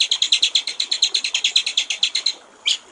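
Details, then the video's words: White-rumped shama master song, clear 'gericik air' style: a steady fast series of about twenty identical bright ticking notes over two seconds, then a pause and one sharp rising note. "masteran murai batu/ suara jernih gericik air"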